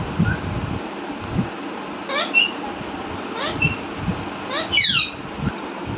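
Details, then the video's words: Pet Alexandrine parakeet indoors making a happy sound while talking with its owner: a few short, squeaky rising calls in quick bursts, spaced a second or so apart, over a steady low hum of room noise. "parrot happy sound // my parrot talking with me"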